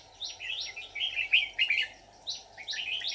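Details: Red-whiskered bulbul decoy in a bird trap, 24 July 2019. Loud, rich warbled phrases of slurred whistles that twist up and down, a brief pause, then more descending whistled notes.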